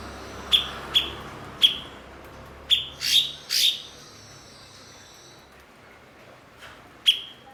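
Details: Blue-winged leafbird (cucak cungkok), a skilled mimic kept as a master bird to train other songbirds. A quick run of crisp, high chips is followed by a few rasping, buzzy notes, then a pause and one last chip.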